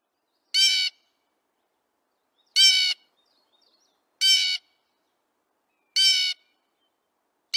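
Four harsh, nasal jeer notes from a Blue Jay, each about a third of a second long, repeated about every two seconds with quiet in between.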